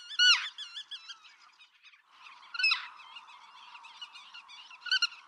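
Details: Black-tailed godwit recorded in Pingtung County, Taiwan, 6 October 2015. A loud series of wavering, arched nasal notes, then two more strong calls, all over a steady chorus of many birds.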